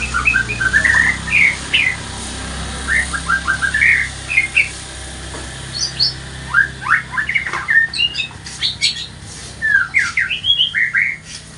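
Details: Morning lure song of a white-rumped shama, a lively string of short upslurred whistles and chattering bursts that come in quick clusters separated by brief pauses, some notes climbing high, with a steady low hum beneath.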